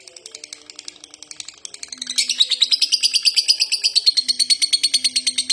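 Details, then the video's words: Lovebird in the konslet style giving a long, non-stop ngekek chatter: a fast, high, steady series of sharp repeated chips, about three per second, growing louder after the first two seconds, with faint low tones beneath. "Lovebird konslet ngekek panjang diglodok gak mau berhenti"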